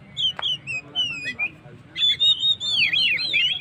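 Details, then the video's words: Oriental magpie-robin song meant to stir up stressed birds: a few clear whistles and short slurs, then a sweeping series of looping whistled notes rising and falling. "suara burung Kacer gacor// naikan emosi//pancingan burung stress"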